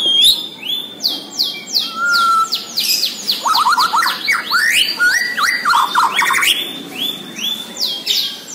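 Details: Dense, continuous song of a white-rumped shama, Borneo type, singing vigorously: rapid overlapping chips, sharp sweeping notes and a brief pure whistle, packed tightly throughout with hardly a pause.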